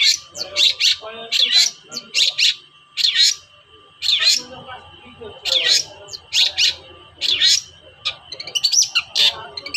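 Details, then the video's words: Long-tailed shrike giving agitated toet-toet calls, used as a lure to provoke reluctant shrikes into singing: harsh, raspy bursts in clusters of two or three, repeated about every second, with a steady faint hum behind. "TOET-TOET CENDET GACOR DONGKAK EMOSI CENDET SUSAH BUNYI"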